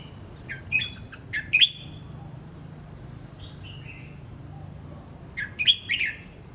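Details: Red-whiskered bulbul practising its voice in morning song: short bursts of bright, slurred whistled notes, each phrase of about four quick rising and falling notes, separated by quiet pauses, over a faint low background hum.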